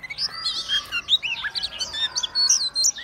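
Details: White-rumped shama in full song while spreading its tail and swaying, pouring out a rapid, varied stream of high whistles, trills and slurred notes over a steady low background hum.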